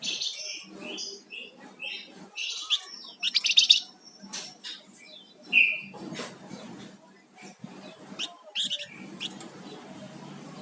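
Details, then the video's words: Flamboyan songbird in lively song, quick chirps and twittering notes with loud buzzy bursts and a bright rising whistle, against low background noise. "Suara Burung Flamboyan Gacor"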